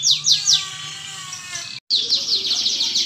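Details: Canary giving three sharp descending notes and a thin high trill, a brief gap, then quick repeated downslurs, played as a lure to prompt canaries to sing; low hum in the background.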